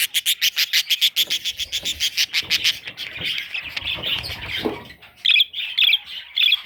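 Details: A baby parrot opens with a rapid series of sharp, clipped chirps, about a dozen in a row, before the chicks break into mixed scratchy chatter and a few separate squeaks.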